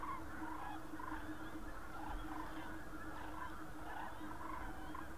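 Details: Around Berlin, Germany, on 24 October 2015, a flock of Common cranes keeps up a dense chorus of short trumpeting calls, repeated and overlapping, with a low steady rumble beneath.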